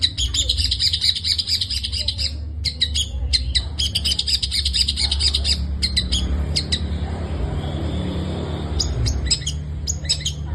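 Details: Long-tailed shrike delivering 'gacor full isian' song: dense bursts of harsh, high chattering broken by short pauses, later thinning to scattered sharp chips, with a constant low rumble underneath.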